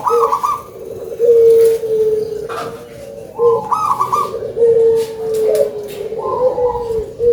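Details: Local-strain zebra dove with a big voice in full song: staccato, bubbling coos broken into quick pulses, phrases repeating every couple of seconds, with a long steady hum of a second cooing bird beneath.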